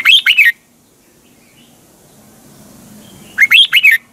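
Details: Red-whiskered bulbul morning song in the double-voiced twisting style, used as a lure song for training birds: two quick warbled, looping phrases, one at the start and one near the end, separated by quiet with a low hum.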